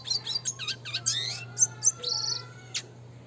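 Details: Red siskin classic training song: rapid looping warbled notes and quick chirps, about four per second, then a drawn-out buzzy note and a final sharp chip, over a low hum.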